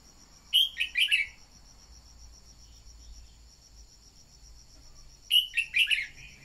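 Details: Red-whiskered bulbul used as a decoy to stimulate newly caught birds. Two rapid phrases of three or four bright, bubbling notes are about five seconds apart, with a shrill insect drone throughout.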